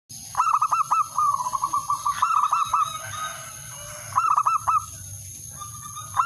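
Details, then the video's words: Male zebra dove calling a rival, used as a lure: a long run of short rolling coos, then a pause and a brief three-note coo phrase, over a steady high electronic whine. "suara perkutut/merbok jantan memanggil lawan"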